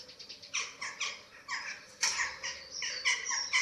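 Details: Eurasian eagle-owls on a German nest webcam, 27 March 2024, while being fed: rhythmic scratchy hisses repeated roughly twice per second, each burst short and rasping, over a quiet low background.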